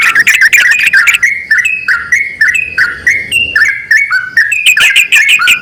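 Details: A yellow-vented bulbul pair, male and female, calling together: crowded chirpy bursts open and close the sequence, with clearer single whistled notes stepping up and down between them.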